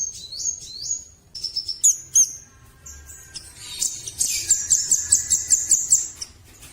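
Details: High whistled phrases from a velvet-fronted nuthatch, some falling, followed by a fast, even series of about ten sharp, high chips.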